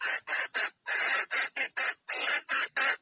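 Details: A hen red junglefowl calls a male to come and mate: a dense, uneven series of about eleven grating, hoarse notes, longer ones mixed with short clipped ones.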